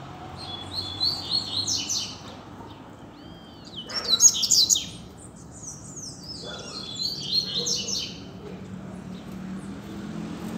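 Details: Double-collared seedeater singing loose in a street, a teacher bird for learning: bursts of high, fast, buzzy-twittering phrases with whistled notes, separated by short pauses, over a faint low background hum.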